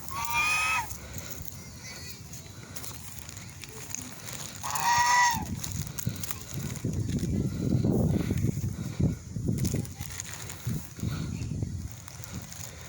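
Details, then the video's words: Swan giving loud nasal honks, two brassy bursts near the start and again around five seconds, followed by rumbling low background noise. "swan loud noise"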